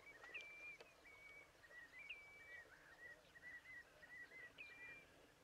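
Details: Little terns at Rålehamn outside Torekov on an early May day in 2012, diving for fish: short, high, thin calls with a slight upward flick, repeated roughly every half second over soft outdoor noise.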